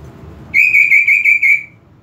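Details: Greater green leafbird song used as a provoking call: one loud phrase of rapidly trilled, level whistled notes lasting about a second, with quiet low hum behind.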